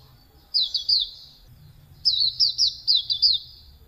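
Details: Hume's white-eye (auriventer white-eye) song used as a tutor recording for cage birds: two bursts of high, quick twittering notes sliding up and down, a short pause between them.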